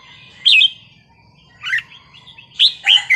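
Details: Red-whiskered bulbul wild-style (pleng pa) song: three short, clear, warbled whistled phrases separated by pauses, the last phrase fuller and longer, over a quiet low hum.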